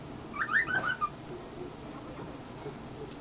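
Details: Male pet cockatiel chirping: a brief cluster of bright, wavering whistled notes in under a second, followed by near silence.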